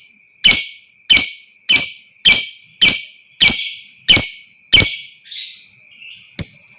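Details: Lovebird lure recording meant to excite other lovebirds into long ngekek trilling: a rapid series of eight loud, sharp, high chirps roughly every 0.6 seconds, then a few softer, fainter notes and one last sharp chirp, with a constant faint high tone behind.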